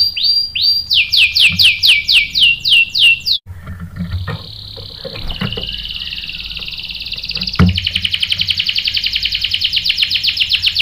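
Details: Singing canary, a male-provoking bait recording: a series of downward-swept chirps, a pause, a level high buzzy tone, then a long rapid rolling trill; faint low room hum.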